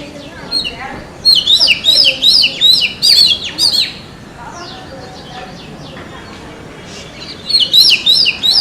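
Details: Forest song of an Oriental magpie-robin: a fast phrase of bright, high whistles and chips for about three seconds, a quiet gap, then another burst near the end.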